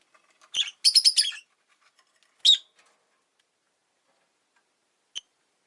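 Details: Rosy-faced lovebird kept as a pet, chattering in a rapid rattling burst of harsh chirps, followed by a single loud chirp and, after a pause, one brief faint tick.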